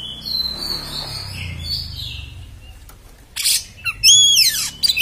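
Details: Quiet whistled phrases from an Oriental magpie-robin give way to a loud, harsh outburst of rasping notes and steep buzzy sweeps.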